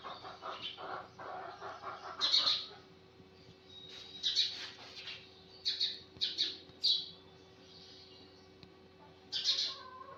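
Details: Morning sparrow chirps: soft mixed twittering at first, then bright high cheeps in scattered groups, some given in quick pairs and triplets, with pauses between, over a low background hum.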